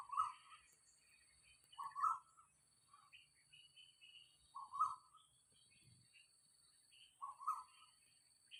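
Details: Asian koel heard near a house on an early October 2022 morning, around 6:40, repeating a mid-pitched two-note rising call four times at steady gaps of about two and a half seconds, with soft higher bird chirps between.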